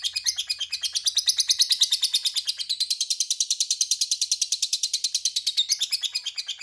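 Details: Lovebird giving a long ngekek, a lure meant to make rival lovebirds answer: a fast, steady, high chattering trill of sharp repeated notes, roughly three per second, running unbroken and loud for the whole stretch.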